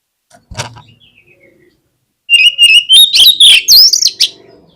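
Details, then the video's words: Oriental magpie-robin song used as a lure to get other magpie-robins singing. A faint note comes first, then after a pause a loud run of sharp whistles climbing toward a high, rising, slurred ending. "KACER LANGSUNG PECAH SUARA MENDENGAR PANCINGAN INI !!! KACER LOYO PASTI IKUT GACOR"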